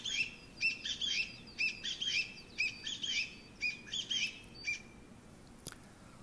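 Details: Chinese bamboo partridge song rendered as 'chotto koi', meaning come here a moment: about five bursts of rapid, high, rising chirps roughly once a second, then a faint click and quiet.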